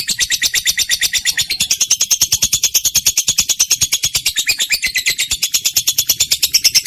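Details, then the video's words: Trained lovebird recorded to prompt other pet birds to sing: a fast, unbroken stream of shrill, high chirps, repeated around three times a second and growing denser midway, with no other sounds. "lovebird mp3 cocok buat pancingan burung kesayangan sambil ngopi"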